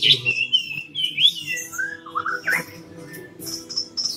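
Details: Chinese hwamei from Cao Bang, tame and three seasons old, said to sing well throughout the day. It gives short clear whistled slurs, some rising, some falling, over a faint steady humming background.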